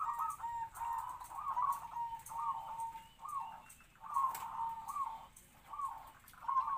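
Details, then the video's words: Local captive-bred zebra dove, about three to four years old, kept as a trapping decoy with a medium voice that gives kwor kwor; soft rolling coo phrases repeat about every second and a half, with faint background noise. "perkutut pikat suara sedang kwor2"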